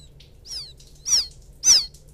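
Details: Young field quail chick calling for its mother, recorded as lure audio; three thin, very high chirps that slide steeply downward, the first faint and the last two louder, spaced about half a second apart, over a quiet low hum.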